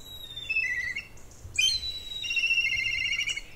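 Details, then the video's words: A Black kite gives its high, whistled whinny, a thin falling note then a quavering, tremulous trill, simpler than a Red kite's, over a faint low rumble. "dans quelques semaines on va entendre encore le milan noir qui fait aussi une espèce de hennissements un peu plus simple lui"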